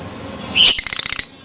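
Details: Adult fighter lovebird giving a short ngekek burst to provoke other lovebirds: a loud harsh screech followed by a rapid rattling trill of evenly pulsed shrill notes lasting about half a second.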